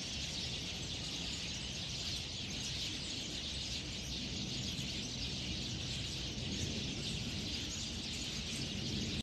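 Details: Chorus of many Eurasian tree sparrows in Wakaba, Shinjuku, Tokyo, on 10 February 2014. They chirp at once, merging into a dense, steady wash of high chatter, with a low background rumble throughout.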